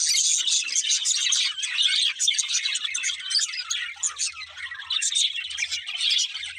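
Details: Budgerigars chattering, continuous high twittering and chirps with overlapping voices, faint low hum in the second half.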